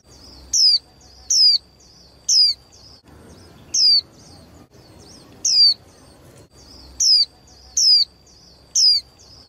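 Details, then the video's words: Calls of a young female caged white-eye used to excite male birds before singing matches: about nine sharp, high descending whistles in loose, irregular groups, separated by short quiet gaps over soft low noise. "KHUYÊN MÁI TƠ - Kích Trống Líu Đấu Sung Hơn Mỗi Trận"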